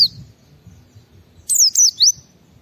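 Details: Gacor white-eye (pleci) song played to stimulate other white-eyes to sing, a burst of three high, sweeping, slurred whistled notes after a quiet start with faint low background rumble.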